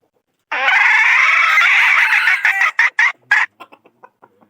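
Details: A young F3 decoy rooster of the 2022 season gives a long, loud, raspy crow of about two seconds, ending in a series of short clucks that fade out.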